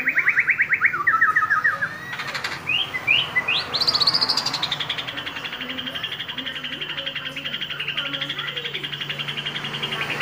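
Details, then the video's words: A white-rumped shama starts with fast, chattering repeated notes and a few rising whistles, then holds a long, high, buzzy trill over a steady background hum. "MURAI BATU. PEKIK NYARING..."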